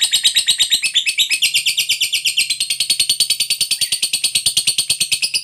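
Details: Lovebird fighter in long 'ngekek panjang' chatter, a lure meant to draw replies from other lovebirds; loud, rapid, harsh high-pitched pulses repeated without a break through the whole stretch, with a faint low hum underneath.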